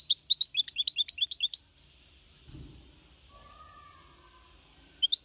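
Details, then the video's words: Four-and-a-half-month-old goldfinch mixto in clean Malaga-copy song, used to motivate other birds; a quick run of bright high twittering notes for under two seconds, then quiet with a single closing chip. "Mixto de Jilguero Cantando Limpio (Copia Malaga)"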